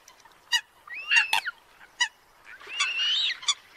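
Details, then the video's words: Eurasian coot giving competing calls, played to lure birds for trapping in northern Vietnam: short explosive pips and curving nasal notes, then a longer wavering, squealing phrase near the end. "TIẾNG SÂM CẦM ĂN CHIM - ĐÁNH CẠNH TRANH"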